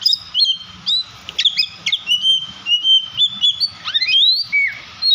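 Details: An Oriental magpie-robin in an emotional, agitated state sings to provoke others of its kind: clear sustained whistles, sharp upward-sweeping notes and brief chips, with a soft background hum.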